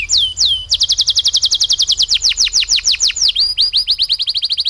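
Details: Canary singing a rolling song loaded with lovebird-style material: two high downslurred whistles, then a long run of fast, clipped, descending chips repeated several times per second, sharp and bright throughout, with a quick slur near the end before the chips resume.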